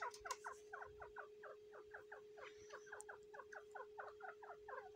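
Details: Grey francolin hen sitting on eggs on the tenth day, giving a steady run of quick, falling chirped notes, about four per second, with a faint constant electrical hum behind.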